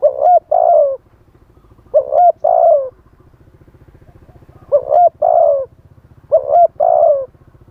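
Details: Spotted dove used as a live decoy to draw in wild doves, wild-style song: four mellow double coo phrases, short then drawn-out and slightly falling, over a steady low throbbing engine-like hum.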